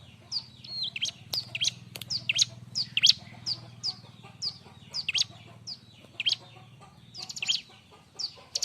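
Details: Bar-winged prinia singing a loud, lively song meant as tutor material for training other birds: rapid series of high, sharp, slurred whistles and chips, steadily repeated, over a low continuous hum.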